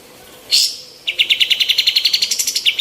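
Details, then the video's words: Female white-eared bulbul in full song, recorded to train other birds: a short harsh burst, then a brief pause, then a steady rattle of rapid high chirps lasting nearly two seconds. "KAPAS TEMBAK BETINA GACOR MASTERAN"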